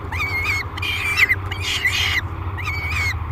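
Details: Noisy, aggressive peregrine falcon at a nest box during feeding, 3 July 2021, Great Spirit Bluff: four rasping screams, each with a bent whistled overtone, close together within three seconds, with a constant low-pitched hum behind.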